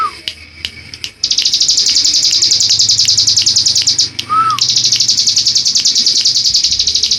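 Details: Mountain ciblek, a prinia, singing in the continuous ngebren style: a long, very high, rapid buzzy trill held for seconds, briefly broken, with one lower slurred whistle and scattered clicks after an opening of sparse ticks.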